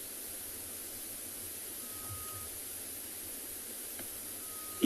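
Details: Quiet steady hiss with a low rumble and a faint electronic tone, ending in a sudden click, and no animal voices.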